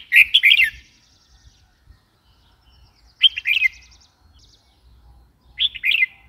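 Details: Three bright, warbled phrases of rapid slurred notes from a red-whiskered bulbul, spaced about three seconds apart over faint low background rumble.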